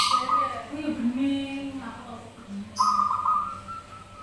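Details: Zebra doves singing and answering each other, used as a lure recording: a low rolling coo with wavering, stepped notes, mixed with a sustained higher buzzy tone and brief hissy bursts.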